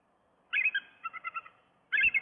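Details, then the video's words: Wild bald eagle female at a nest in Miami-Dade, Florida, on 15 October 2023, calling while seeking to mate as the male lies down; high chittering notes, a rapid run of five or six piping notes, then another burst. "ROSE WANTS TO MATE"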